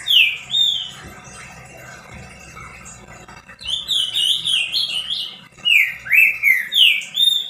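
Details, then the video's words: Pet green-winged saltator singing to heat up other saltators: bright whistled phrases of sliding notes, a brief opening, a long fast series midway and another bout of five notes at the end. "DEIXE SEU TRINCA FERRO LOUCO 🙀 CANTANDO MUITO ESQUENTA TRINCA FERRO."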